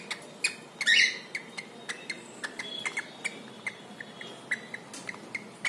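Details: Male pet cockatiel calling while taking a dip in water: one short, harsh chirp stands out amid a steady patter of dripping and splashing clicks against a hissing background.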